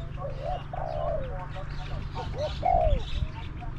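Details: Spotted dove used as a decoy and matched with wild doves of small to medium voice. A low two-part coo is followed by a short break, then a brighter, longer coo that slides downward. A constant low hum runs underneath.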